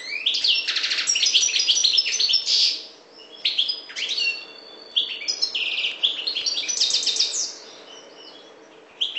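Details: Maghreb parva goldfinch in a long bout of rapid liquid twitters and rattling trills, high and jangling, broken by two short pauses before each burst resumes.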